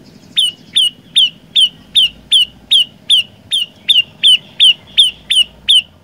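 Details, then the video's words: Olive-backed tailorbird singing in an energetic gacor style, one of three song variations: sharp, piercing notes falling in pitch, repeated steadily about two and a half times a second, roughly fifteen in a row, over a low background hum. "Burung Prenjak Lumut Gacor Suara 3 Variasi"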